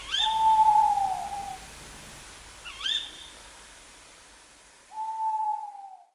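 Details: Tawny owl giving two long, smooth, slightly falling hoots about five seconds apart, with a short rising note between them, in a quiet forest at night.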